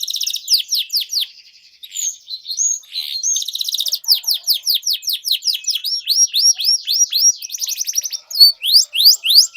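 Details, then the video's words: Loud canary singing, used to coax quiet canaries into song: rapid rolling trills and repeated swooping high notes in varied tours, nearly continuous for ten seconds. "Kenari Gacor Menuntun Kenari Macet Jadi Bunyi Kembali"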